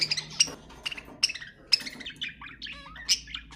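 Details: Pet budgerigar warble played to encourage other budgies to sing: quick sharp chirps and clicks in irregular bursts, then varied short whistled and buzzy notes sliding up and down in pitch.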